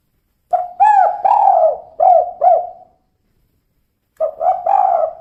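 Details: A female spotted dove sings its "kuk 2" call: a string of mellow, downward-slurred coos, a brief pause, then a second phrase begins.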